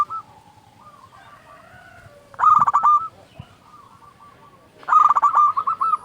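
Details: Zebra dove singing, used to trigger other doves into song; quiet drawn-out coos, then two loud rolling phrases of quick repeated coo notes.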